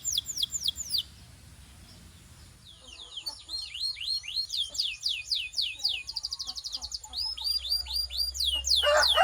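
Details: Belgian canary song to warm up canaries and stimulate females: opening slurred whistles, a quiet pause, then dense overlapping trills and sweeping notes building to a loud close.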